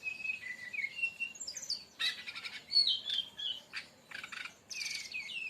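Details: Sikatan rimba dada coklat, the brown-chested jungle flycatcher, in a song played as a lure for other birds: wavering high whistles opening into loud buzzy, crackling bursts and sweet slurred notes, repeated in short phrases.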